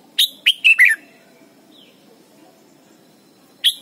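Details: Song of a red-whiskered bulbul from Thailand, meant for training young birds: a fast run of four bright whistled notes dropping in pitch, a pause of nearly three seconds, then one more note opens the next phrase.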